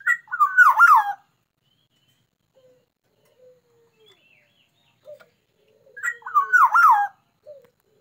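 A black-naped oriole gives two rich, fluty whistled phrases, each about a second long and six seconds apart, with a few soft notes between.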